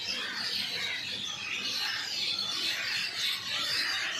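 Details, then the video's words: Birds chirping in a dense, continuous chorus of overlapping high, quick chirps and twitters with no clear rhythm, filling the clip without pause. "Birds chirping sound"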